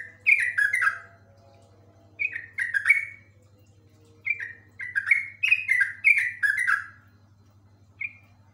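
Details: Yellow-vented bulbul in constant ropel song, giving short liquid phrases of tumbling, falling notes in several bursts, the longest near two seconds, ending with a single clipped note; faint low hum throughout.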